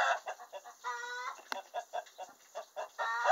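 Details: Laying hen in a chicken coop proclaims her egg with drawn nasal squawks alternating with stuttering clucks. The sequence ends on another rising squawk.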